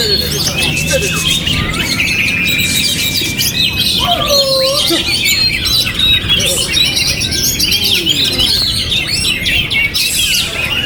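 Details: White-rumped shama, a caged songbird, singing despite strong wind: varied whistled and chattering phrases with quick rising and falling notes, over steady wind rumble and other birds chirping in the background.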